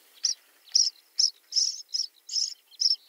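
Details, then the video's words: Common starling giving a series of short, buzzy high notes, about seven evenly spaced bursts in three seconds, with a quiet background. "Обыкновенный скворец (Sturnus vulgaris) - голос"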